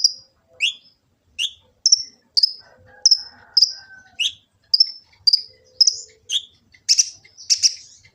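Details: Kolibri ninja sunbird from Gresik, East Java, phone-recorded as tutoring and lure song for kept birds: a steady series of thin, high ticking chips roughly twice per second, some with downward-slurred tails, ending in louder buzzy bursts.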